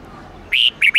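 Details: A red-whiskered bulbul gives two or three bright, rolling whistled notes in quick succession, the first longest, over a quiet background; a twisting multi-note song used as daily training audio for bulbuls.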